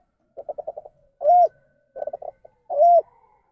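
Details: Ndanglong-style spotted dove coo, an off-standard variant linked to inbreeding. Twice a quick series of short pulsed notes leads into a loud, rounded, arching coo, the phrase repeating about every one and a half seconds.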